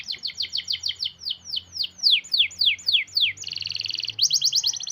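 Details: Tight, long canary roll used as a lure for canaries slow to sing: rapid falling sweeps that gradually slow and grow louder, then a steady buzzy trill and a quicker pulsed trill.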